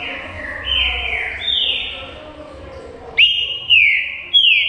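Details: Green-winged saltator, known locally as trinca-ferro, in full song; loud, clear whistled notes that slide down in pitch, given in a steady series, two birds seemingly trading phrases.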